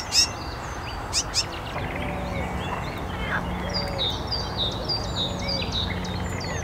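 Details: A sedge warbler (Acrocephalus schoenobaenus) at Szachty, Poznań, Poland, on 5 May 2024 sings a fast, scratchy chatter of high, repeated notes and brief whistled slurs, over a steady low hum and a few sharp knocks at the start.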